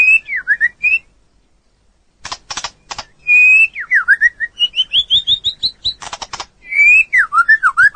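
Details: Training recording of a white-rumped shama in full song: short whistled phrases dipping and rising, a pause, harsh rasping chatter, then a steady series of rising whistles and swooping notes.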